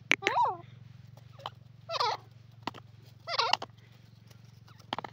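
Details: Grey francolin in a jungle giving a loud, wavering, harmonic call, then short clicks and two more warbled bursts over a steady low hum.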